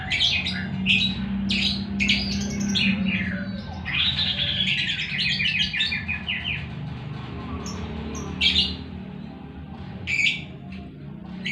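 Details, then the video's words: Lovebird delivering ngekek song, a long fast rattling chatter of repeated high notes after harsh squawks and chirps, with squeaky bursts later and a low background hum. "#lovebird #birdsngekekmania"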